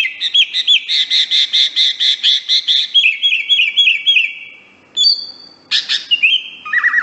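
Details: Greater green leafbird song, a master recording for training birds: rapid run of repeated high chirped notes, then slurred whistled phrases and sharp high whistles, with faint low background noise.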